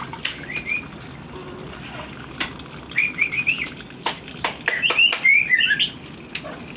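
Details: Oriental magpie-robin kept as a pet, singing in the morning, which it does on hearing water: short clear whistled phrases, twittering and varied, broken by sharp clicks and taps over a steady background hiss.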